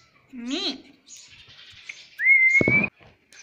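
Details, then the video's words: Pet Indian ringneck parrot that talks, saying "mummy" and "papa": a short voice-like harmonic syllable, a pause, then a clear sustained whistle that rises slightly, ending in a raspy burst, inside a quiet room. "bolta parrot || cute Indian ringneck parrot"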